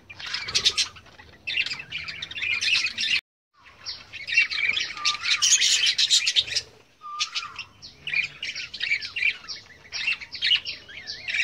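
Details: A flock of farm-bred budgerigars chatters nonstop in high, scratchy chirps and warbles, with a few rising squeaks cutting through and two brief breaks; the finding is budgerigar.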